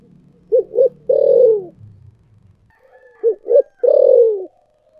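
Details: Spotted dove singing in the thổ sấm voice style: two short low hoots followed by a long, loud coo that slides downward, the phrase given twice about three seconds apart, with a faint low rumble under the first.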